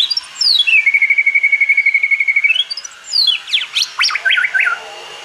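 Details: White-rumped shama delivering its forest-voice song: a steady rapid trill of evenly repeated notes lasting about two seconds, ending in a rising slur, then a burst of sharp sweeping notes and short whistled phrases.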